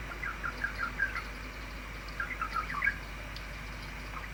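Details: Male budgerigar, ten years old, kept as a pet, playing and imitating the sound of flowing water on a cool Monday; soft, bubbly chirping clusters in two bursts, trickling and uneven, over a steady low background hum.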